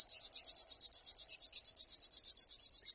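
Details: Short burst of river warbler song, a crisp high buzz broken into rapid, regular ticks, about nine per second.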